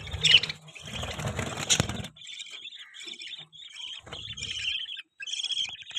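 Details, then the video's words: Budgerigar chatter: a noisy, flapping start, then a string of high warbled chirps and twittering notes running on with short pauses. "Budgie chirping sound"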